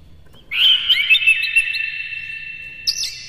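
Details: Oriental magpie-robin, kept in captivity, gives a morning phrase of harsh "konslet" material meant to stimulate other birds. A sudden sweet whistled run with fast, wavering notes dies away, then a brief high chirp ends it.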